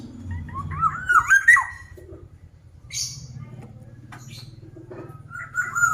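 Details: A black-naped oriole gives one warbling whistled phrase, then a level whistle near the end, over low rumbling background noise and a scratchy sound in the middle.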